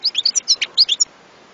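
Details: European goldfinch giving a quick, bright twittering phrase of about a dozen high, tinkling notes lasting one second, then silence.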